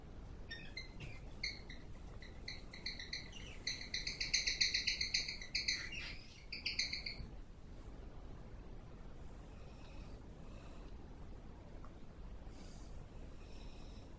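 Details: Cockatiels, recorded in 2014, appear to be aggressively kissing each other. They give rapid, repeated harsh chirps that build into a loud screechy burst, then fade.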